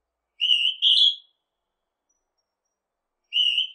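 Northern hawk-cuckoo giving a shrill two-note whistle, the second note slightly higher, with the next phrase starting about three seconds later.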